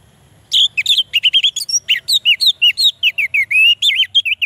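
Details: Orange-headed thrush pouring out a continuous, rapid song to spur quiet males: about twenty varied whistled notes in four seconds, each a quick up-and-down slur, some buzzy, with hardly any gaps.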